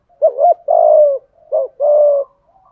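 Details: Two close phrases from a spotted dove, 'giọng thổ' style 'thúc gù' cooing: a wavering looped hoot leading into a long, mellow, slightly descending coo, then a shorter repeat of the pair.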